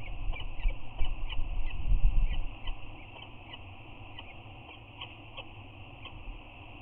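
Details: Adult peregrine falcons at their eyrie on Anacapa, 8 March 2019, both visiting and exchanging a chirping greeting with head bows. High, thin chirps repeat steadily, several each second, over a low rumble of wind that swells early, then eases.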